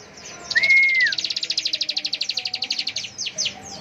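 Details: Bar-winged prinia in ngebren style: one smooth, level whistle, then a long, fast, even trill of sharp high pulses lasting about two seconds, ending in a few louder separate chips.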